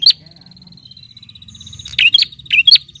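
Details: Bar-winged prinia calling to a rival: one sharp chirp opens, then a long thin whistled tone, then three quick bright chirps in close succession over a low murmur.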